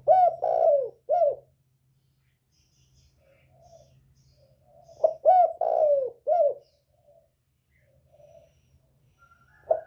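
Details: Spotted dove from northern Vietnam, 'còi bổi' voice used to provoke rival birds: repeated cooing phrases of a short note, a long swelling coo and a clipped final coo, given twice with a quiet pause between.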